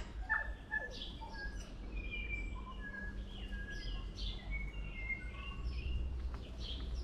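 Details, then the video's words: New Zealand tui near Auckland delivering a rich run of fluty whistles, short slides and clicks in a varied, irregular sequence, with some overlapping notes and a constant low rumble underneath. "Experience the Magic of Tui Bird Sounds"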